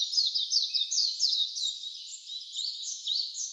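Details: Along a mountain stream path at Sengataki, Karuizawa, Nagano Prefecture, Japan, wild birds give quick, bright chirping phrases of sliding high notes, several per second, over a constant soft hiss.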